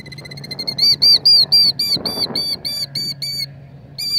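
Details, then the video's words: A Killdeer nesting with eggs among rocks, upset by a nearby person and doing its broken-wing distraction act, gives rapid, shrill, arched 'dee' notes, about four a second in a steady series, over a low background hum. "A Killdeer Bird and her broken wing act - Kildeer Call"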